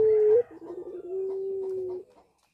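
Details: Puter pelung dove kept in a cage and in breeding condition gives a single long, steady low coo lasting about two seconds, preceded by a brief higher note, in a quiet setting.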